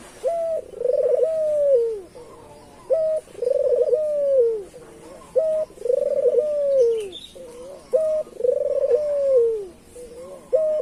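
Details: Local island collared dove (puter) cooing as a lure for other doves: a short note followed by a long, smooth, slightly falling coo, the phrase repeated about every two and a half seconds, low-pitched and clear against a quiet background.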